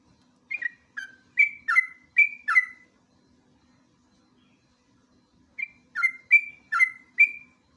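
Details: Sooty-headed bulbul song for luring and tutoring: a run of six short whistled notes, some dipping or rising, a pause of nearly three seconds, then five more similar notes.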